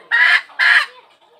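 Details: Two short, loud, harsh squawks from a hen calling for a rooster, about half a second apart, trailing off into quiet.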